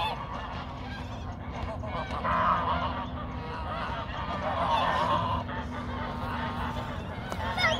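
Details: Geese in a fight, with repeated rough honks rising out of a steady noisy background, louder bursts coming roughly every couple of seconds.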